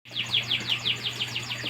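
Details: Atlantic canary singing on a bright morning while koi are watched: a rapid run of short whistled notes, each sliding downward, about six per second, over a steady low hum.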